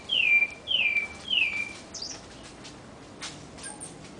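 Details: Sabiá thrush singing in a home backyard in a big city: three clear whistled notes, each sliding down from high to lower pitch, given about every half second, then fainter distant chirps.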